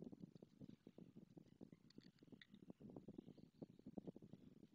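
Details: A male White Stork and the female greet at their nest with the usual bill-clattering, Madrigal de las Altas Torres, after she laid a second egg: a fast, hollow wooden rattle of about ten clicks a second, swelling and easing over a few seconds.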